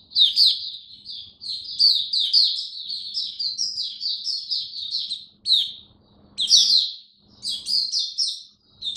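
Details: A caged oriental white-eye sings 'buka sing raja' in cold rainy weather: a long, rapid run of high chirped notes, then a pause and short loud bursts of twittering near the end.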